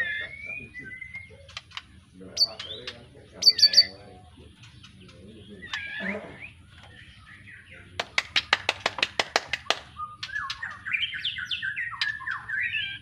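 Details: Caged young white-rumped shama just out of juvenile plumage, of an Arko Tangerang line, kept in Petarukan, Pemalang: scattered whistles and sharp notes, then a rapid series of clicking strokes and a rising, jerky warble, with low background rumble.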